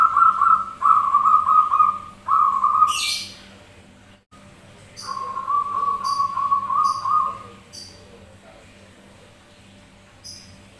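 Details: Zebra dove song (perkutut manggung) used as a lure, birds answering each other: three quick trilled phrases, a pause, then one longer trilled phrase, with short sharp hissing ticks repeating in the background.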